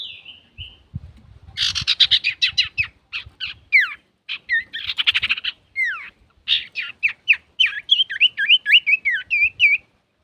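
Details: Male common iora (cipoh, sirtu) in full varied song, used to provoke other birds. A dense run of rapid chattering notes leads into a long series of quick looping whistled slurs, rising and falling, nearly continuous for eight seconds.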